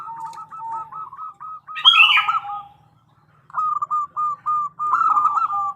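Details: Zebra dove, a female calling to the male as a lure: rapid strings of cooing notes with a second voice slightly lower, a short harsh squawk midway, a pause, then another fast cooing run.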